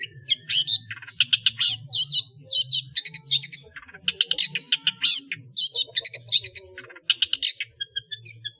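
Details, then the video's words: Long-tailed shrike delivering a dense full-fill song intended to train cage birds: rapid harsh rattles and high chips in near-continuous flurries, with a low humming background throughout. "SUARA BURUNG CENDET NGEPLONG FULL ISIAN UNTUK DIJADIKAN MASTERAN ANDALAN"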